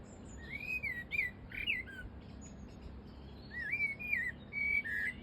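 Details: A bold wild blackbird sings close by at Flowersbrook on the Isle of Wight. Its slurred, fluting whistled phrases rise and fall, with short pauses between phrases, over a steady low rumble of background noise.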